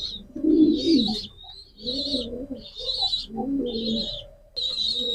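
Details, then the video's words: Pigeon cooing in low, rolling, throaty phrases, with bursts of high thin chirping from other birds above it and short pauses between coos. "pigeon call and sound effect,কবুতরের ডাক।"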